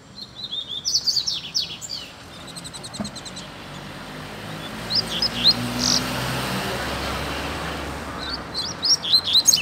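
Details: Free-living double-collared seedeater in a neighbourhood: bursts of rapid high chirps and trilled notes at the start, middle and end, separated by stretches of steady traffic and background noise.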